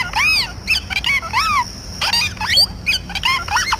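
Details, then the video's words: Talking parrot giving loud, rapid, harmonic squeals. Arched notes sweep up and down with few pauses, and some calls overlap, running on for about four seconds. "talking parrot Natural 🦜 sound voices"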